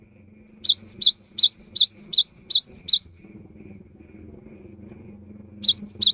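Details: Afternoon cinereous tit song, said to set off other tits singing: seven quick, high, swooping two-part notes in an even run, a long pause with low background murmur, then two more notes begin.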